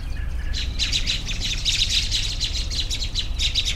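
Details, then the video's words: Relaxing bird chorus of dense, fast high-pitched chirping and twittering that starts after a brief pause and continues steadily, over a constant low background hum. "10 Minutes of Bird Sounds for Relaxation"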